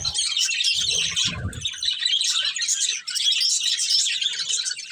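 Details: Budgerigar breeding pair chattering nonstop in bright, rasping high warble, with a couple of low bumps near the start.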